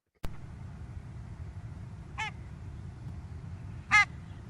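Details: A Barnacle Goose, recorded at a nocturnal migration listening station in Ireland around five in the morning, gives two short, sharp yapping barks about two seconds apart over a steady low rumble, with a single click near the start.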